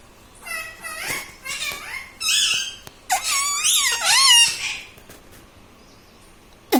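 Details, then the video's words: Pet ringneck parrot indoors imitating words like mummy and radhe radhe; rough, buzzy high-pitched voice-like phrases of wavering pitch, two longer bursts mid-way, then quiet room with a click at the end. "Talking mummy papa|| mummy vala parrot || mithu bolo radhe radhe"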